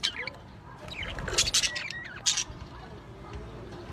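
Lovebirds give shrill, harsh squawks and chirps in a few quick bursts over about four seconds, with a low background murmur.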